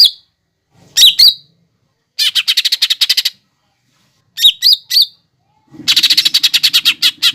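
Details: Lesser green leafbird training song (masteran) containing fighting sparrow, lovebird and hummingbird imitations: sharp squeaky notes followed by long runs of rapid buzzy chatter, with a faint low murmur beneath.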